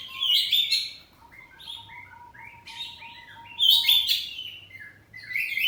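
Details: Oriental magpie-robin of the kacer poci type, kept at home, singing loudly in the ngeplong style with answering saut-sautan phrases: bright whistled and scratchy notes in bursts, a long steady thin whistle through the middle, then another loud rich phrase.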